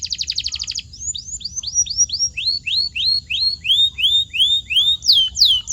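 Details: Canary song meant to get silent birds singing: a short fast trill, then a steady series of clear downward-slurred whistles, about three a second, rising in loudness toward the end.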